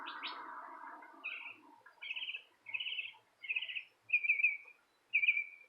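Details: Bird chirping outside a porch: after a short burst of rough noise, six quick trilled chirp phrases follow at about one per second, each a bright rattling burst at high pitch, with quiet gaps between them.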